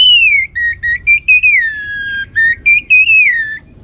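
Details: Orange-headed thrush song played to stimulate other birds to sing: a clean, continuous, melodic whistle of short linked notes, gliding down and back up, with rhythmic breaks and no background noise.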